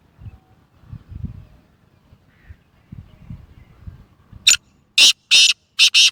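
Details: Quiet low rumbling gives way to a loud harsh call from a Gangas Sheedi Lakka cross black francolin (Kala Teetar): a thin lead note, two coarse grating notes, then a quick rasping pair.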